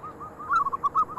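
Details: Local zebra dove singing eagerly, others joining in after one calls: a short string of soft, evenly paced cooing notes, slightly louder toward the end.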